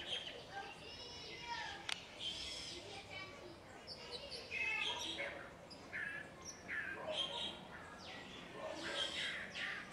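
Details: Long-tailed Mockingbird (calandria) watching a small dog and imitating a cat to make it bark: a busy run of varied chirps, whistles and trilled phrases, several overlapping, over soft background noise and possibly faint voices.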